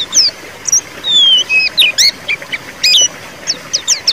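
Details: Ngeriwik white-eye song meant to coax a silent bird into singing: scattered high chirps and a few longer thin whistles with short gaps between them.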